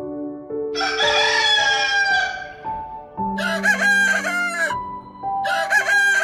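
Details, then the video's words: Rooster giving a long, drawn-out crow that trails off, followed by two shorter, hoarse crows, all over steady background music. "Rooster Sound"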